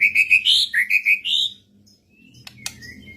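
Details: White-rumped shama answering another bird, given a run of clear high whistled notes, several repeated evenly, then a rising slur before trailing off into quiet with two sharp clicks.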